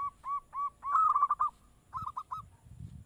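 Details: Zebra dove (perkutut) calling to provoke an answer: three separate soft rising coos, a fast rolling trill, then a short broken phrase of clipped notes, with low murmuring background noise.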